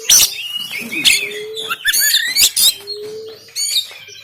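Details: A rough 'tembakan' song from an oriental magpie-robin, recorded by Android phone in Banten to spur a lazy caged bird to sing and open its tail. Loud harsh bursts mix with rising whistles and fluty notes, and a soft low hum is repeated twice.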